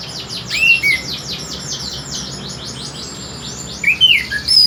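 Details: Orange-headed thrush with a very melodious voice; a fast, even train of sharp high ticking notes runs throughout, with a few clear slurred whistles near the start and end.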